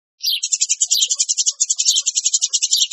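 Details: Continuous quick-fire high chirping from noisy Eurasian tree sparrows as a lure, with rough, buzzy notes running without a break.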